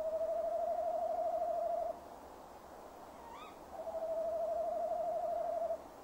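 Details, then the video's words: Tawny owl male calling near the nest box at 17:10 in mid-December 2015. Two long, evenly pitched, trembling hoots about two seconds each, separated by a pause holding a faint rising higher call. "Bosuil M roept"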